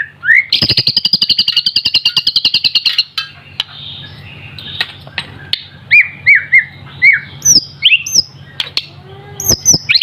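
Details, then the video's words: White-rumped shama, a young bird still in immature plumage yet already singing freely: a fast buzzy trill of evenly repeated notes for about three seconds, then a run of loud, clear whistled downslurred notes with sharp high flicks. "BURUNG MURAI BATU MASIH DOKOR TAPI UDAH GACOR"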